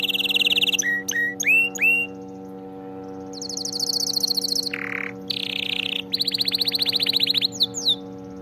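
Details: Canary song used to train canaries to sing correctly: sharp rising chirps, a low rolling note, then long rapid trills and a final cluster of downward whistles, with a constant low hum underneath.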